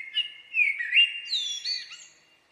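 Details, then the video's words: Common blackbird song: mellow fluted whistles around the middle range, sliding and warbling, ending in higher squeaky twittering notes; clean background with no other sounds. "Blackbird song"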